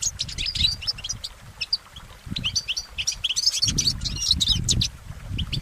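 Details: Outdoor goldfinch song with a fast, sparkling stream of high tweets and twittering trills that swells into a dense burst toward the end, over faint low background noise.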